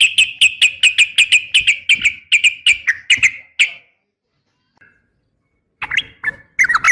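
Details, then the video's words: Sooty-headed bulbul (trucukan) female calling a male, used as fighting training audio; fast run of short chirpy notes about three per second, then a pause and a few more notes. "trucukan gacor SUARA NGGARUDA TARUNG ROPEL"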